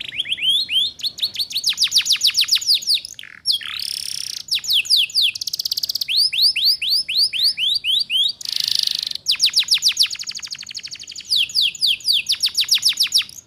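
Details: Canary song used as a lure recording to help young canaries quickly learn the ngeriwik style: fast repeated rising sweeps and rolling trills, broken twice by harsh buzzy bursts, all high-pitched and clean.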